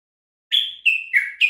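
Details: Common bulbul song recorded for teaching captive bulbuls to sing: three or four clear whistled notes that step downward, then a higher closing note. The phrase starts after a silent half second.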